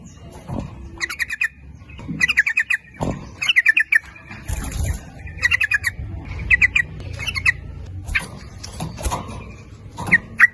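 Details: Sooty-headed bulbul lure song for calling males and females, 'nguplik ropel' style: a long series of short bubbly phrases, each a rapid run of notes, repeated every second or so with thumps and rustles between.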